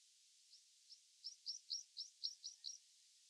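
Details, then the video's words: Meadow pipit on a moor: a faint series of thin, high squeaky notes, about nine short upswept chips repeated roughly every quarter second, growing slightly louder midway, over a steady background hiss. "Meadow Pipit on the Moor"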